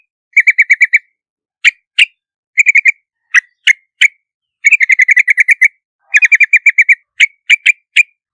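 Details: Yellow-vented bulbul song of rapid chattering runs of bright notes alternating with single sharp, slightly upslurred chips, lively and uneven in rhythm.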